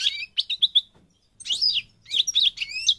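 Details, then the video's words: North African goldfinch, known in Morocco as Parva, giving short bursts of quick, high, jingling song with buzzy, rising and falling slurs, three phrases separated by brief gaps. "The Goldfinch's Song North Africa - Parva Morocco Bird Song"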